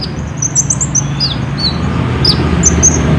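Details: Olive-backed sunbird lure song for caged birds, phone-recorded: a quick burst of high twittering and falling slurred notes, then a few isolated sharp chips over low hum.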